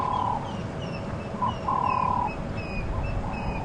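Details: African grey hornbill in South African bush at sunrise on 16 October 2015, giving plaintive, level whistles, some brief and one drawn out, over a very chilly wind from a cold front, with doves calling.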